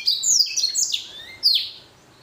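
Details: Short song phrase from a Blacken, a blackthroat and canary hybrid finch: a few bright, high, downward-sweeping whistles running together, the last one loud and sharp.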